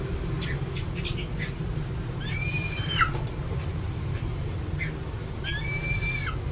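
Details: Two separate arched, whistled calls from a crested eagle, each rising then dropping sharply in pitch over under a second, about three seconds apart, with faint soft chirps between them and a low hum beneath.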